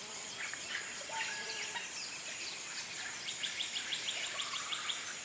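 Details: Pale-eyed blackbird (Agelasticus xanthophthalmus) near Atalaya, Peru: a low level whistle, then a quick run of sharp, high chirps about three per second, over a steady high insect drone.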